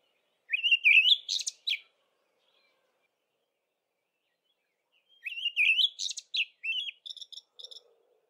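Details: An olive thrush sings at dawn in early spring: two fluting whistled phrases rising into sharp chattering notes, the second ending in quick repeated ticks, separated by about four seconds of silence.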